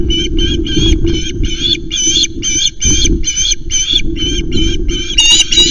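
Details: Loud repeated osprey calls at a Loch Arkaig nest camera, 1 September, late-start delivery of three small flounders by the male to the chick: steady run of short, shrill, slightly squealing notes, roughly two to three per second, over constant low rumble.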